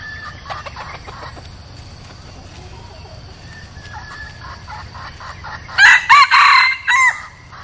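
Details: Decoy junglefowl, kept for luring wild junglefowl, crowing: nearly six seconds of faint ticking and low background hum, then one loud crow broken into four quick ringing bursts, the last slightly separated and falling away.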